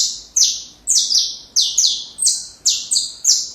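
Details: Saffron finch song offered as a model for training young birds: loud, sharp notes sweeping down from very high pitch, about seven strokes in quick succession with brief gaps, over a faint low hum.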